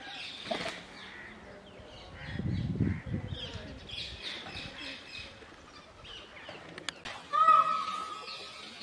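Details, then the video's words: Indian peafowl (peacock) gives one loud, nasal, wailing note near the end, while small birds chirp steadily throughout, with a burst of flapping wings early on. "مور کی خوبصورت آواز"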